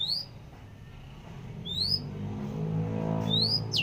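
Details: Long-tailed shrike, described as very active, gives three sharp, thin upswept whistles spaced about a second and a half apart, ending in a quick downslurred note, over a steady low hum.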